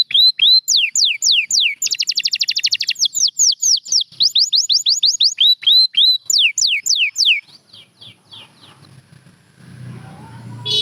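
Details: Champion canaries, kept for song training, sing a run of repeated downslurred whistles, then a quick rattling trill, then more falling whistles. The song fades after about seven seconds, leaving faint low noise.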